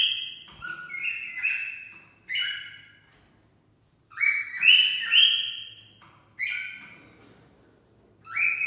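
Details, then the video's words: Cockatiel whistling its mating-stimulating song in loud grouped phrases of rising, ringing notes, with quiet gaps of a second or more between the bursts. "Cocktail stimulating sounds for mating"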